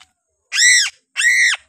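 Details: A captive, still-thin Piping crow, a Sulawesi endemic fed on crickets, gives two harsh, screaming calls, each about a third of a second, arched in pitch and rich in overtones, with a short pause between.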